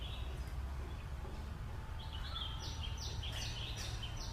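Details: Green parrot calling: after a quiet start, a series of harsh, downward-sweeping screeches repeats about every half second over a steady low rumble of background noise.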